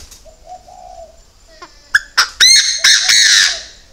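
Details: Chinese francolin kept as a decoy bird: a soft, low, wavering note opens, followed by a string of loud, harsh, strident notes that come faster and build into a drawn-out rasping burst before stopping.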